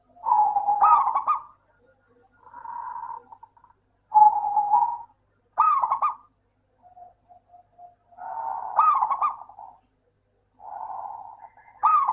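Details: Lure song of a local zebra dove for coaxing lazy doves into singing. Repeated rolling, staccato coo phrases alternate with softer trills, about eight bursts in twelve seconds.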